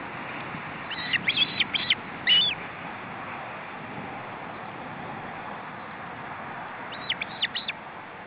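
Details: Osprey calls during a feeding attempt as a male attends his chicks at the nest in July 2012: two short clusters of thin, high chirps, one near the start and one near the end, separated by a long hissy gap.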